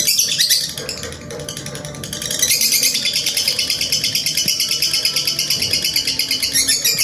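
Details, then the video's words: Lovebird in a long-duration training recording for singing: a continuous rapid chattering trill of high rasping notes, pulsing about three times a second, sustained throughout. "masteran Lovebird durasi panjang menitan"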